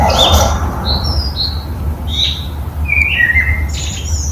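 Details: A common blackbird (Turdus merula) sings an unusual morning song in a house courtyard: short, varied fluting whistles and high squeaky phrases, some sliding downward, over a steady low rumble.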